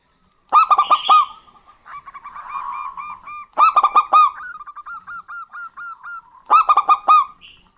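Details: Pair of local zebra doves, male and female, trading song: three bright bursts of rapid ringing coos alternate with quieter strings of clipped, repeated whistle-like notes.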